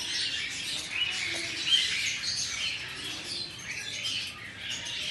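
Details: Several captive albino cockatiels with red eyes greeting the morning, giving a continuous dense wash of soft high chirps and warbling chatter with no single call standing out.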